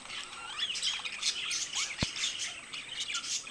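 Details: Two pet budgies keep up a rapid, high twittering warble with curling whistled notes and harsh squawks, interrupted once by a single sharp knock.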